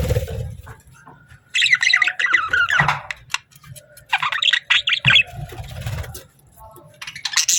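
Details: Budgerigar (parakeet) chirps in two bursts of fast, twittering warble, separated by quieter gaps with faint low background rumble and a few soft clicks.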